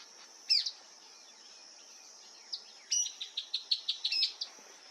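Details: Rufous-collared sparrow (Zonotrichia capensis) singing among shrubs and trees in Lihué Calel National Park, La Pampa, Argentina, early autumn 2025: high, thin whistled notes, then a quick run of about ten sharp notes, over a steady high insect hum.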